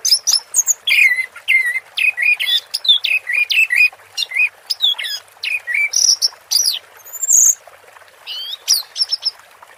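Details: Orange-headed thrush in teler song, pouring out a long, steady stream of clear whistled notes and chattering chirps, many phrases falling in pitch, with a few higher thin whistles near the end.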